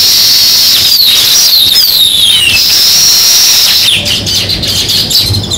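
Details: Sparrows in a natural setting give high, thin chirps and sliding downward notes, several birds overlapping, while a steady high-pitched hiss continues throughout.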